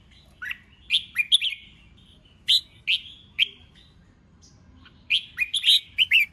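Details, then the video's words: Red-whiskered bulbul singing in contest training, clusters of bright slurred whistled notes, then single sharp chirps spaced apart, ending with another fast cluster. "Kích Chào Mào Hót Đấu"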